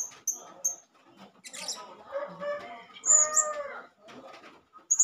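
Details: Male blue-crowned hanging parrot calling as a lure to provoke other hanging parrots: short, sharp, very high-pitched chirps in brief bursts at the start, middle and end, with lower harmonic, voice-like sounds in between.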